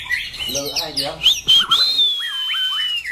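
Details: Loud-voiced competition white-rumped shama in a cage: fast twittering notes, then a sharp upward phrase and a long sustained high whistle that slowly falls, ending in short dipping notes.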